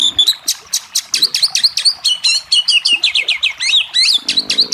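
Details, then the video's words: Oriental magpie-robin song played to stimulate a lazy, quiet bird to answer and sing: rapid series of sharp, bright whistled and buzzy notes, some rising and falling in twisting phrases, delivered continuously with brief gaps. "Terapi Kacer yang Malas bunyi:Bahan Biar Cepat Nyaut, Gacor, dan Buka Paruh"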